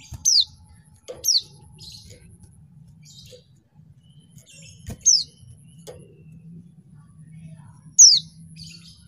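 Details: Female mountain white-eye kept to provoke lazy males into singing: short high descending chirps, each sweeping down steeply, repeated irregularly about every one to three seconds over a low background hum.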